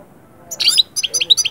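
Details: European goldfinch singing to bring birds out of moult into summer breeding mood: bright, tinkling high twitters in quick bursts, a short trill followed by rapid repeated chirps.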